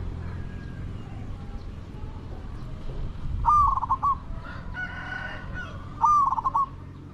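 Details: A decoy spotted dove for trapping wild doves gives two rolling, pulsed coos about two and a half seconds apart. A harsher clucking call from another bird is heard between them, over low rumble.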